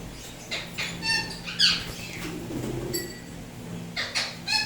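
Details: Pet Indian ringneck parrots, turquoise blue and turquoise blue harlequin, kept indoors, giving short harmonic chirps and squeaks in scattered bursts, with a quiet room hum beneath.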